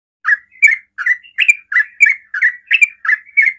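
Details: Sooty-headed bulbul singing in a very fast, rapid-fire style meant to provoke other bulbuls into answering: bubbly, slurred chirping notes, about nine short phrases in under four seconds, each rising then dipping, with no other sounds.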